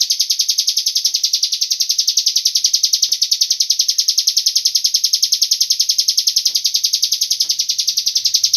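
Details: Cigun call used as a lure to get other birds to sing along: a continuous, high, buzzy trill of rapid, evenly spaced pulses that runs unbroken through the whole clip, with faint low background rumbles.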